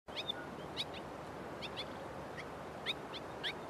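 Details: White-throated swallow giving one of two different vocalisations: short, sharp, high chirps, mostly single or in quick pairs, scattered through the clip over a steady background hiss.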